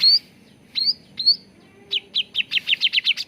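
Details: Cucak ranting bulbul song, used to lure and train birds into singing: three clear rising whistles, then an accelerating string of about ten short bright chirps.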